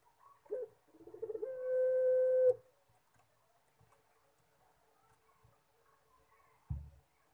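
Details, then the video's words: Collared dove (puter) cooing in the pelung style, called manggung: a short rough opening coo, then one long level drawn-out note held about a second before stopping abruptly. Quiet room, with a faint knock near the end. "PUTER PELUNG MANGGUNG - SUARA HOROR"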